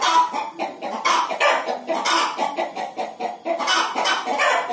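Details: Hen calling as she gets ready to lay an egg, a dense chain of rough, nasal clucks repeated quickly and unevenly.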